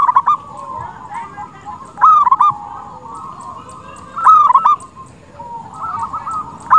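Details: Local zebra dove in vigorous song, a lure that prompts rival doves to answer: three rippling coo phrases about every two seconds, each beginning with a crisp note, over softer continuous cooing.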